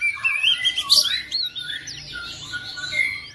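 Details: Oriental magpie-robin at home answering another bird with a short run of whistled and chattering notes over a noticeable low background hum.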